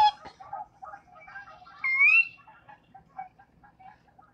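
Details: A Sora, a secretive Wisconsin marsh bird, gives its ker-wee call, one clear, rising whistle sliding sharply upward, with soft, low chattering notes running underneath throughout.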